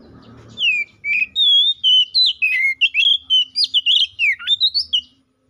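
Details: Kacer or Oriental magpie-robin pouring out 'gacor ngeplong' song to challenge a rival, played as a lure for magpie-robins: a continuous five-second stream of clear whistled notes, with swoops, trills and a sharp dip near the end.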